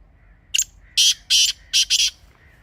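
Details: Grey francolin calling sound, for hunting: a short click-like note followed by four loud, coarse rasping bursts in a rhythmic run, the last two paired, over low background hum.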